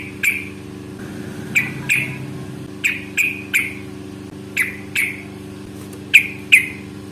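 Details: Yellow-vented bulbul in a long fighting-style recording used as a lure to make other bulbuls answer; sharp paired chirps repeated irregularly every second or so over a steady low hum.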